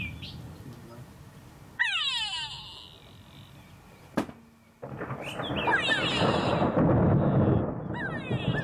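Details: Grey go-away-bird, also called grey lourie or kwêvoël, giving loud, nasal calls made of stacked tones sliding downward. They come in separate bursts, broken by abrupt cuts and one sharp knock, over a heavy rushing background.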